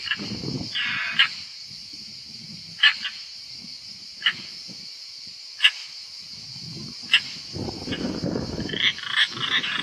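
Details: European roller at a nest in Italy as the fifth young flies out; short harsh rasping calls repeat roughly every one to two seconds over a steady high insect drone, with rustling and scuffling sounds between calls.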